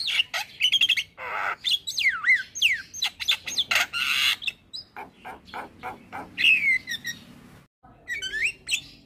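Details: Javan myna, a male, sings a varied jumble of harsh broadband rasps, clicks and bright swooping whistles that rise and fall, with a long descending whistled slur near the end, in a quiet setting.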